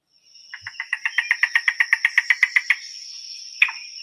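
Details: Yellow-billed Cuckoo song, known as the rain crow: a fast, wooden series of about seventeen hollow clucks, four per second, then one lone note, over a steady high whine.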